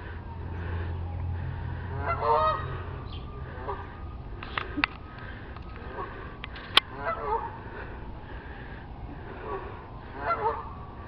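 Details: Geese on a neighbour's roof, heard but hidden behind a tree: scattered nasal honks in short bursts, a few sharp clicks, a low rumble and a man commenting.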